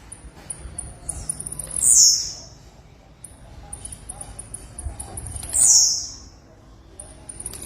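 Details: Female blue-black grassquit giving two high, thin downslurred whistled calls a few seconds apart over a quiet background.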